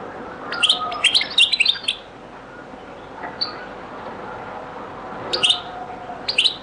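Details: European goldfinch, Beni Messous 'les avocats' (zaboka) song style, very old recording: a burst of rapid high twittering notes, a pause with one thin note, then brief bright twittered phrases returning near the end.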